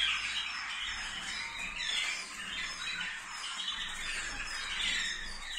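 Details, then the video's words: Several canaries of a water-roller song type sing at once in a dense, continuous chorus of high rolling trills and chirps, overlapping without pause, in a faintly echoing room. "Kanarki wodnotokowe"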